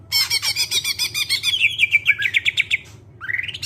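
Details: Greater green leafbird song serving as a lure for other singing birds: fast harsh rattling pulses grading into quicker whistled notes, a brief pause, then a rising whistled slur.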